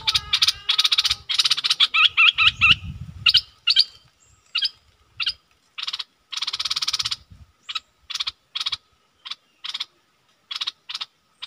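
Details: Old captive bulbul used as a decoy to lure a rival into fighting: a burst of dense rasping notes, then spaced short buzzy pulses and another long rattle, with light low noise.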